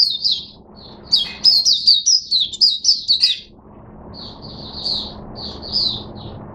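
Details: Oriental white-eye, caged and drinking supplement-mixed water, on 5 May 2022. A dense run of rapid high twitters, a short pause, then a softer, more scattered series of sweet chirps.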